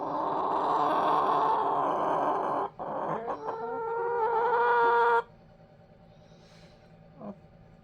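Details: Backyard pet chickens spending the night in a dog crate, a little confused but not scared: a long, loud, harsh harmonic squawk lasting about two and a half seconds, then a short break and another drawn-out wavering call, ending in quiet.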